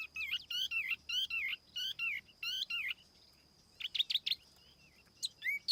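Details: Lure song of a tiểu mi laughingthrush, free of background noise: five bursts of bright warbled whistles with quick up-and-down notes, then a pause and scattered sharp high phrases ending in a short falling whistle.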